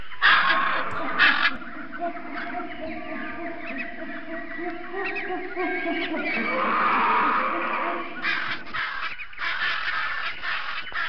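A flock of flamingos keeps up a dense, goose-like gabble of overlapping nasal honks, with louder calls rising above the steady chorus.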